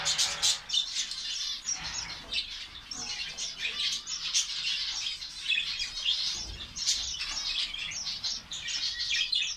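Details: Colony of finches, Saudi Arabia: a continuous bright twittering chorus of short chirps and little trills, with louder clusters every second or so over nearly ten seconds.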